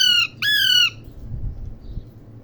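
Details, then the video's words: Parrot giving two loud, grating squawks, the second rising sharply at its start then levelling, with faint low background rumble afterwards. "parrot ki awaz | parrot birds sound"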